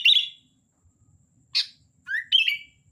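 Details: Sooty-headed bulbul (kutilang) in lively song: a bright whistled note, a sharp chirp, then a rising whistle running into a wavering warble, with quiet gaps between.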